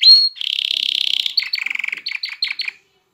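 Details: Canary singing to stimulate females to mate and encourage chicks to sing; a sharp whistle leads into a dense buzzy roll, then choppy lower rattling notes and short paired chirps before silence.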